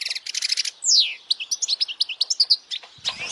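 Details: Goldfinch song meant to teach young goldfinches and attract females: a buzzy rattle, then a long slurred downward whistle, followed by a regular string of clipped high chirps, about five per second.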